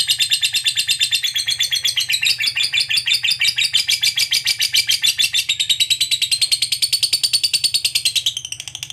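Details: Fighter lovebird giving a long 'ngekek panjang' trill, used to stimulate other lovebirds to sing: a rapid, harsh, high chattering run of evenly pulsed notes that continues for about nine seconds before trailing off, with a faint low hum underneath.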